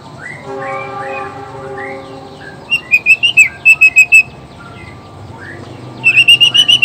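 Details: Male white-rumped shama of the black-tailed Nias form, singing to provoke rival males: low tonal whistles at first, then fast bursts of clear repeated notes, about seven in quick succession, with another rapid series near the end.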